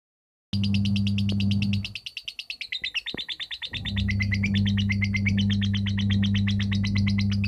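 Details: Lovebird from Kepanjen, Malang, East Java, Indonesia, labelled 'konslet', giving a long rapid chatter of high sharp chirps, about three per second, with a brief drop in volume midway; steady low electrical hum throughout.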